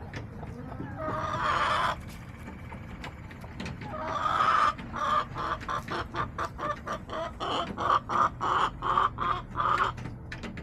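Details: Backyard hens clucking on October 10, 2024: two short squawks open the clip, then rapid, rhythmic clucks repeat about three to four times a second, growing louder toward the end.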